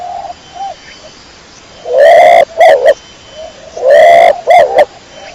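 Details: Kecor-type pigeon giving two strong phrases, each a drawn-out note followed by a pair of short bursts, about two seconds apart, after a quiet start with faint low coos.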